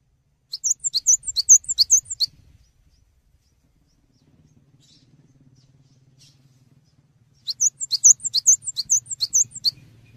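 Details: Cinereous tit tutor recording for songbirds: two phrases of quick, shrill repeated double notes, separated by a long quiet gap with a faint low hum.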